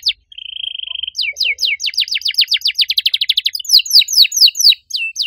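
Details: Vigorous, loud-voiced canary with a distinctive cengkok style opens with a short steady whistled tone. Then it pours out rapid descending sweeps that speed into a dense rattle, followed by slower, wider swooping notes.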